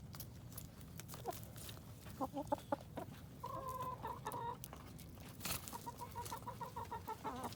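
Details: Backyard hens feeding on a pumpkin at an urban farm in Colorado Springs: scattered short clucks and a run of quick repeated notes, mixed with sharp pecking and tapping clicks.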